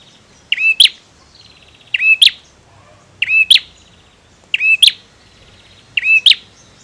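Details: Singing male bar-winged prinia gives five emphatic, high, clipped double chips at intervals of just over a second, joined by a soft buzzy trill. A light ambient hiss is underneath.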